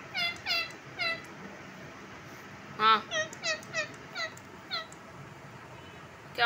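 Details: Pet Indian ringneck parakeet, described as a talking and dancing bird kept indoors, giving a series of short nasal, down-slurred calls in two loose bursts, with one louder harsh note midway and a final sharp call.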